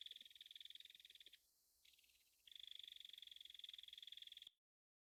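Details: Rapid chattering rattle of a Belted Kingfisher from North America, a harsh machine-gun run of clicks, a short break, then a second longer run that ends sharply into silence.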